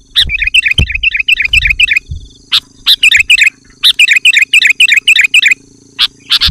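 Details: Vigorously singing sooty-headed bulbul used as a lure to call wild bulbuls and provoke others into answering: bubbly, liquid phrases of three or four notes repeated rapidly in runs, broken by sharp, high chips and a few low thumps.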